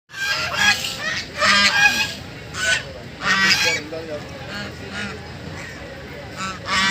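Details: Ducks playing on a lake, giving loud, harsh, nasal honking calls in bursts about every second, some overlapping, with a low steady hum beneath.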